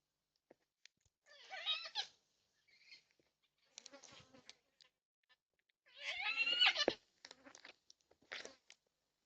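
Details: Backyard feeder in NSW, Australia, 20/3/26, four yellow-tailed black cockatoos on a security camera: two rough, strongly harmonic squawks a few seconds apart, with scattered faint clicks and taps between them.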